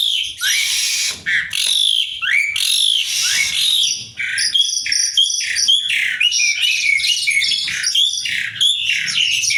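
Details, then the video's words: Asian pied starling delivering a creative song: harsh rasping bursts and upslurred whistles at first, then a rapid, dense run of chattering, clicking and squeaky notes for the last half. "kreasi burung jalak suren"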